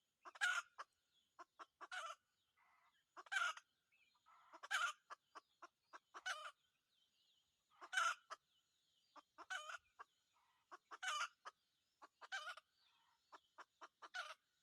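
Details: Red junglefowl during a wild junglefowl decoy hunt, a long run of about ten short harsh crows at steady intervals, interspersed with dry clicks and faint wavering tones.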